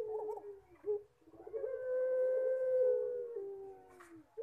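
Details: Collared dove of the pelung type singing: quick wavering notes, a pause, then a stuttering lead-in that opens into a long, steady moaning tone lasting about two seconds before dropping lower.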